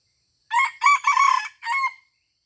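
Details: Red junglefowl crowing in Aceh during mikat luring at a deer park: a loud, harsh crow in four parts, two short bursts, then a longer broken phrase and a brief final note, in an otherwise quiet setting.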